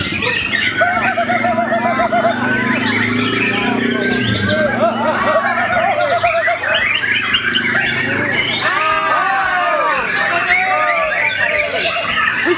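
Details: A young Bornean white-rumped shama, hung at a songbird contest, sings rich, varied phrases of rapid whistles, trills and rising-falling notes against other songbirds and faint human voices.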